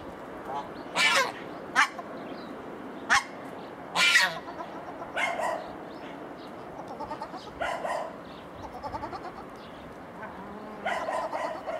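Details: Swan goose pair recently moved into an open enclosure: a series of loud, harsh honks in irregular bursts, several close together early on, then softer, shorter nasal calls spaced through the rest, over steady background hiss.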